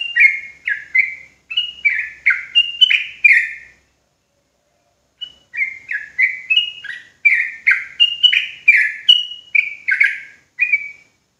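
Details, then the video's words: Trucuk jawa, a sooty-headed bulbul, sings to excite rival bulbuls into ropel bursts. Two phrases of quick, bubbly, down-slurred whistles are separated by a silent gap of about a second and a half. "Bikin Trucukan Lain Ikutan Ropelan Garuda dan EMOSI Ketika Dengar Suara Trucuk Jawa Ini"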